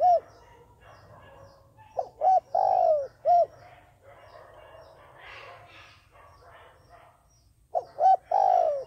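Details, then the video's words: Decoy dove used to call in doves for trappers: two short hoots and a long sliding coo, a brief quieter stretch of faint rustling and chatter, then the same coo phrase again. "cu mồi gáy chuẩn, gọi là đếnh"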